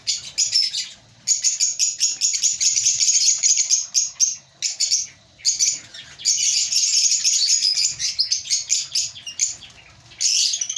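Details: Lovebirds in a breeding colony chatter in a dense, continuous stream of shrill, high chirps and squeaks from several birds at once, with brief pauses.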